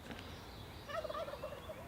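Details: A distant Wild Turkey gobbles at Lone Wolf Mountain, a fast gurgling rattle of rapid notes lasting under a second, over a soft background of outdoor rumble.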